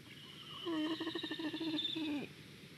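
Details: Black stork at a nest in Estonia in 2021, on a nest live stream, reacting to a squirrel: a harsh, buzzy, pulsed call with a rapid rattling texture lasting about one and a half seconds, dropping slightly at the end over faint background hiss.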